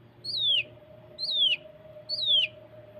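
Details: Masteran recording of cucak kinoi for prompting birds to sing, close 'tembakan' variation: three clear descending whistled slurs, roughly one per second, bright and piercing, with a constant low electrical hum underneath.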